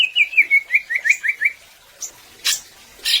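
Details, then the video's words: Greater green leafbird singing gacor to get other birds to sing: a rapid string of about ten short whistled notes, then a high note and two harsh, noisy bursts. "Suara Cucak Ijo Gacor Agar Burung Ngobra dengan Penuh Kekuatan"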